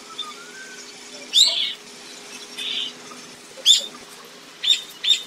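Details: Common starling singing: a soft low whistle early on, then harsh buzzy bursts and sharp chirps in quick scattered phrases, with quiet pauses between.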